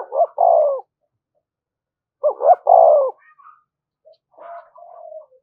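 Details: Spotted dove cooing in the urging style used to stir up decoy birds: two loud phrases, each of quick clipped notes ending in a drawn-out falling coo, followed by soft murmured notes.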